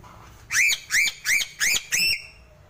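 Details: A Sulawesi crow utters five evenly spaced, nasal, upward-sweeping squawks about a third of a second apart, each rich in harmonics, against quiet low background noise.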